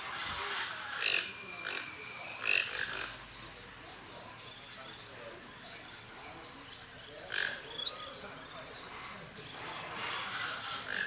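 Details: Giant cowbird (Molothrus oryzivorus) at Aguapé Lodge, Aquidauana, Mato Grosso do Sul, Brazil, gives a few harsh, creaky bursts spaced a couple of seconds apart, over a steady high insect whine.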